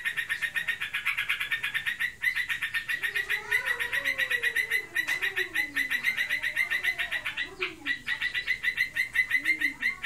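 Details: Kept sooty-headed bulbul, reportedly in breeding condition, singing ngebren style: a dense, continuous stream of quick, buzzy repeated notes with faint lower wavering sounds underneath.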